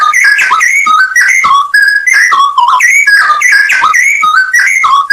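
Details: Straw-headed bulbul, full 'isian nembak' masteran song: loud, ringing, gurgled whistles in rapid, jerky phrases, notes leaping up and down and running together almost without a gap.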